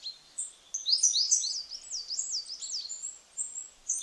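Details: A Coal Tit, a Nordic species with about 60,000 pairs in Finland that darts to bird feeders, sings loud, high, piercing two-note phrases, a quick 'beepety beepety beep' repeated several times a second, over faint background hiss.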